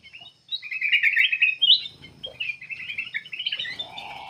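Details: Black-capped bulbul pouring out energetic song, used to lure other birds into singing: dense, fast warbled chatter with rising flourishes, and a lower steady whistle near the end.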